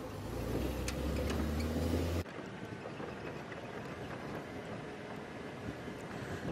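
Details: A low engine drone with tonal hum runs for about two seconds, then cuts abruptly to quieter, rumbling wind-like noise, and no animal calls can be picked out.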